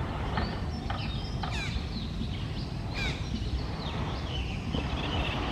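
Red-breasted parakeets give a few harsh, screechy squawks, two standing out clearly, over a steady low rumble of traffic or machinery.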